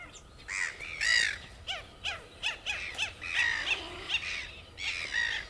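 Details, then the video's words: Red-gartered coot, an aquatic bird of Chilean lakes and lagoons: a run of short downward-arched notes alternating with louder nasal squawking bursts, several overlapping voices. "Tagua común o Focha de ligas (Fulica armillata) Red-gartered Coot"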